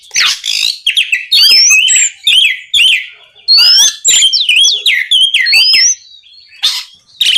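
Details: Night song of an Oriental magpie-robin used to provoke rivals into replying; dense run of whistled slurs, rising upsweeps and zigzag warbles broken by short scratchy bursts.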